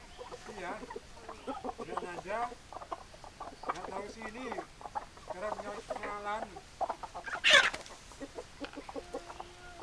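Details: Hens clucking in short bursts of low, throaty, harmonic notes, several runs in a row, with people talking softly in the background and one brief sharp, loud squawk near the end.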